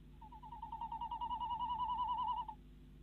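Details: From a Dutch nest box at 10:23 pm in February 2016, a female tawny owl calls as the male brings a mouse, a fast, even trill of quavering notes sustained for over two seconds.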